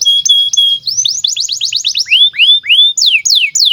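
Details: Canary song meant as a master for teaching young canaries: steady whistled tones give way to a rapid run of rising, sweeping notes and then slower downslurred whistles, all bright and high.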